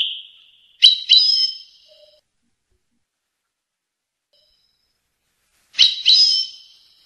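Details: Goldfinch from Tunis singing a faultless Rasta Torka style song: a brief high note, then two buzzy, sliding phrases with a clear rising whistle, a long pause, and the same phrase repeated. Quiet background.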